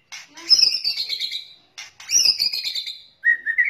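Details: White-rumped shama, male and female, calls used as a lure for catching birds: two bursts of harsh, crackling chatter with high buzzy notes, each about a second and a half long, then a short rising whistle.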